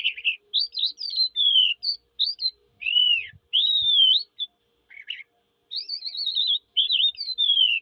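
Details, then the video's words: Eurasian skylark singing a fast, high, nearly unbroken stream of chirrups, slurred whistles and short trills with only brief pauses, no other sounds. "sky lark bird singing"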